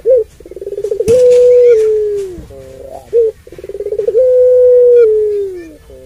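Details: Long-voiced puter pelung dove calling to stir up rival doves; a crisp opening note leads into fast throbbing pulses and a drawn-out steady coo that sags at the end, heard twice with a brief click.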